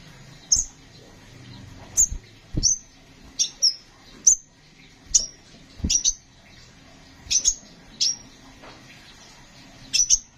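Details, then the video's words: Kolibri ninja sunbird, kept as a songbird, gives a series of short, sharp, very high chirps, single or paired, about once a second, with soft low thumps and knocks between them. "Burung Kolibri Sepah Raja gacor"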